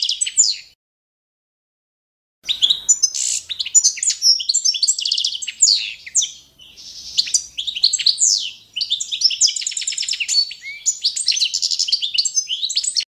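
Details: Training song of the Balkan European goldfinch, Carduelis carduelis balcanica, matching adopted competition standards: long, varied bursts of rapid twittering, metallic tinkling notes and buzzy trills, broken by a short pause near the start, with no other sounds.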